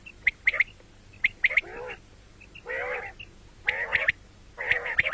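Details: Common quail (batair) calling, morning and night: sharp high three-note bursts alternate with longer nasal, harmonic notes, about one phrase per second.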